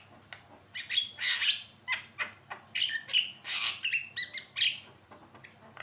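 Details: Actively singing Javan myna, used as a song tutor: loud broad rasping notes alternate with clear whistled phrases and quick ticks in a varied, energetic sequence.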